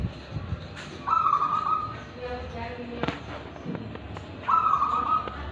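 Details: Zebra dove of a local natural strain, Tulungagung, in full song with ulem and kristal voice: a rolling trilled note, a pause with faint clicks and knocks, then a matching purring trill.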